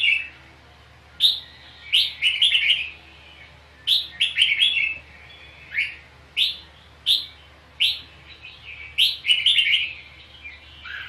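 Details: Fighting song of a red-whiskered bulbul used to train and stimulate other birds: a long run of short, punchy warbled phrases and single upslurred chirps, repeated steadily throughout.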